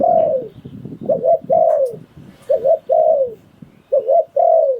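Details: Thai ground decoy spotted dove in the phon liu tan style, giving repeated double coos each followed by a long, descending coo, over continuous low background rumble and clatter.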